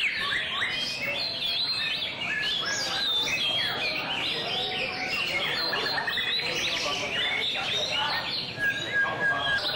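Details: White-rumped shama singing during a song display: a dense, continuous run of varied whistles, rapid chirps and sweeping notes, mostly high-pitched, filling the whole stretch with little pause, over a steady background hiss.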